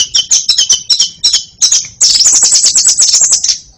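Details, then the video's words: Rapid series of sharp, high chattering notes from a white-rumped shama, first in separate bursts, then merging into a continuous shrill, buzzy trill for nearly two seconds. "MURAI BATU BAGUS SEKALI KICAUNYA"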